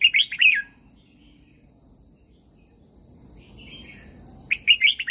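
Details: Song of a red-whiskered bulbul from Thailand, used for training caged birds: a short fluty warbled phrase opens and another returns after four quiet seconds, with a faint soft trill between and a constant thin high tone.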